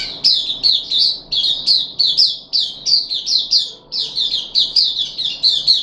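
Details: Caged puff-backed bulbul, recorded 14 July 2021 during the third day of deworming, repeats bright, sharp chattering notes in quick pairs and triplets with brief gaps between bursts.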